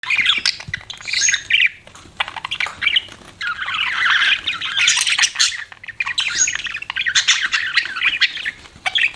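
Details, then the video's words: Pet budgerigars chirping: dense bursts of warbling, scratchy chatter and squawks, high and busy, broken by short pauses near two and six seconds. "BUDGIES CHIRPING SOUND"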